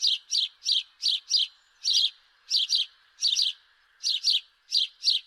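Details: Quick sequence of house sparrow chirps, many in close pairs, delivered almost continuously with only small gaps between notes.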